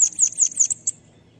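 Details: Training song of the bananaquit, locally sibite or cambacica: four high, descending, wispy notes spaced evenly, followed by two short, sharp ticks.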